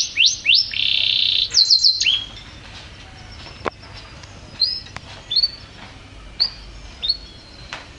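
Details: Champion canary singing constantly: quick bursts of rising whistles and a buzzy note open the phrase, followed by scattered single high upslurred whistles separated by short silences and a few clicks.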